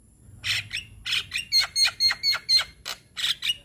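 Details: Young Javan myna, white-eyed type, singing as a lure for young birds: harsh buzzy notes alternating with short clear whistles, about two notes per second.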